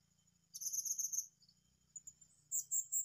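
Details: Blue-crowned hanging parrot, searched for at a new site, utters a rapid, high, buzzy trill lasting under a second, then several sharp shrill notes. A constant insect whine and a faint low hum run underneath.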